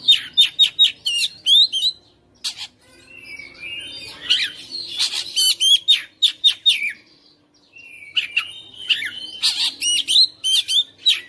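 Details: Oriental magpie-robin kept at home, singing nonstop in fighter style and unloading its mimicked phrases: loud rapid runs of sharp chirps and whistles, a pause near seven seconds, then another vigorous burst.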